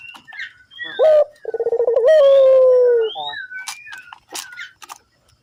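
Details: Barbary dove calling actively, recorded as a lure to make other doves call: a short, rising churr followed by a long, trilled, slowly falling coo. Thin chirps and whistles from small birds surround it.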